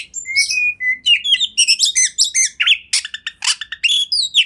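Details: Kacer song meant as master material for training: opens with a few clear rising whistles, then packed bursts of buzzy, twittering notes repeated quickly in short phrases.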